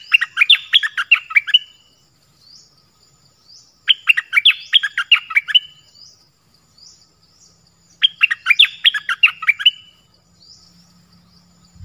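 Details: Original voice of a Dok taeng bird, which sings many song phrases: three dense phrases of rapid, chattering, warbled notes, each about 1.5 seconds long and about four seconds apart, with quiet pauses between.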